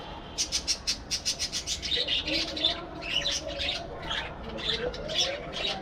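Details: Budgerigar colony in an aviary: a fast run of clicking chirps at about six per second, then continuous warbled chatter and squeaky notes from the flock, with a low hum in the background.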